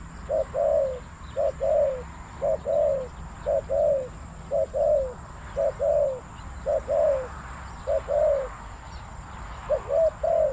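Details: Spotted dove calling wild birds down to a decoy setup at Bang Li, Thailand; paired mellow coos, a short note then a fuller one, repeated steadily about once a second throughout.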